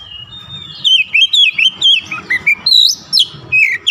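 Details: Oriental magpie-robin (kacer) singing persistently and unloading its repertoire. A steady string of about a dozen loud, clear whistled notes, each different in shape, some rising and some falling, is delivered at a brisk pace.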